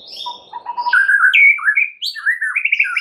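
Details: Provoking song from a champion white-rumped shama, meant to make other shamas sing: a faint low note series, then a fluid run of rising and falling whistles and short trills.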